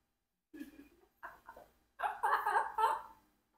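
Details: A 4-year-old Congo African grey parrot practising words such as "fish" and "goat" speaks short, word-like phrases in clipped bursts, the last ones loud and bright, after a lower human voice near the start.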